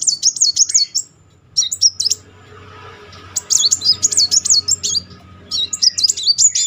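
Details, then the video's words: Rolling Brown-throated Sunbird song serving as a lure for a silent bird: several quick bursts of piercing, wavy trills separated by brief gaps, over faint low hum. "Kolibri Muncang gacor ngeroll"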